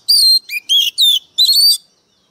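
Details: White-rumped shama with a short sequence of strong, fluty whistles, mixing a low dipping note with higher sliding ones. The five phrases come in about two seconds, with clean silence between them.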